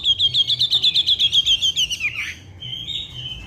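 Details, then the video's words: Black-naped oriole in full song: a rapid run of about fourteen high, clipped notes at an even pace, sliding into a brief harsh buzzy slur, then a thin sustained whistle. "wambi gacor"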